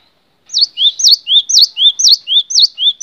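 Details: Cinereous tit in a long tutor recording: a bright, rapid two-note phrase, a sharp downslurred whistle then a lower rising note, repeated about twice a second.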